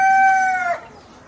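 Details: Black Australorp chicken holding the final steady, harmonic note of a crow, which breaks and fades out after a moment, leaving near silence.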